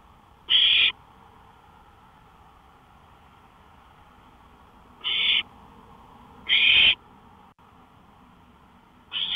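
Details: Owl on a porch at night, 5 May 2013 near 1:53 AM: four scratchy hissing bursts at irregular intervals, long pauses between the first two, another call cut off at the end, low hum throughout.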